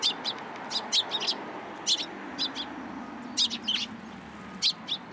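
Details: Several sparrows assembling in a cherry tree at a Tenmangu shrine, March 2023, chattering with rapid sharp chirps, often doubled or tripled, fairly continuous over faint low background noise.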